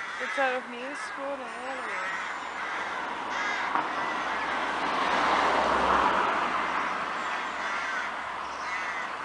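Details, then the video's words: Crows at Kloosterbos, Vaals, caw hoarsely in overlapping bursts, while a clear wavering whistle sounds twice early on and a broad rushing hum, perhaps traffic or wind, swells in the middle. "Kraaien - Crows"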